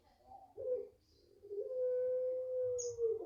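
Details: Five-month-old home-raised Barbary dove giving a long coo: a short low hoarse note, then a long, steady, level, drawn-out hum lasting over a second, over faint low background rumble.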